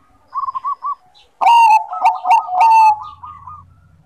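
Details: Zebra dove of the Bangkok type singing actively: a few soft, quick coos, then a loud, rolling, slightly descending phrase with bright ringing accents, fading into a sustained coo over a faint low hum.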